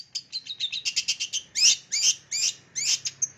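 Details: Long-tailed shrike mimicry song used to lure young wild-caught birds: rapid even string of bright high chips, followed by louder scratchy chattering phrases and a few short whistles.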